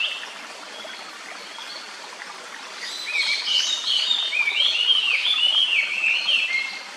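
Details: Japanese paradise flycatcher near its nest in a quiet woodland by a clear stream; after three seconds of steady running water, a rapid series of sliding whistles begins and continues over the stream's murmur.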